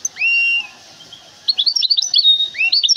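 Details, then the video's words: Goldfinch hybrid, a large caged bird from Temara, gives a drawn-out upslurred whistle. After a pause come quick jangling high twitters and another rising slur, then more tinkling notes. "هجين الأستاذ حسن المولوع الكبير من مدينة ثمارة"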